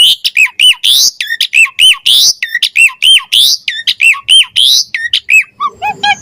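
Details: Javan pied starling in energetic 'gacor mompa' song with rich varied fills, used as tutor song for training songbirds and as a lure for starlings: loud, rapid series of sharp chirps and squawky notes, fairly regular, about four or five per second.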